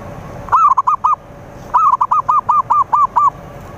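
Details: Zebra dove song for luring rivals: a four-note phrase, then a longer run of about nine evenly spaced, bouncing coos, each opening with a drawn-out rising note, clear against faint background hiss.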